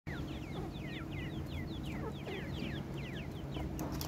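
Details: Francolin (teetar) chicks giving a steady stream of thin, high, downward-slurred peeps, many overlapping in quick succession, over a low rumbling background hum.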